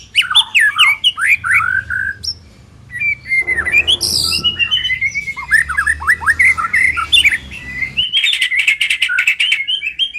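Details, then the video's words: White-rumped shama singing, played as a lure to trap birds and make them sing: varied fluting whistles and quick trills, a short burst of noise, then long runs of bright chattering notes. "Pikat Murai Batu Dengan PANCINGAN GACOR Ini Di Jamin Macet Langsung Bunyi"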